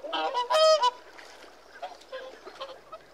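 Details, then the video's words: Whooper swan call: two loud, harmonic trumpeting honks at the start, followed by softer, distant honking calls fading in the background. "Whooper Swan Bird Call Bird Song"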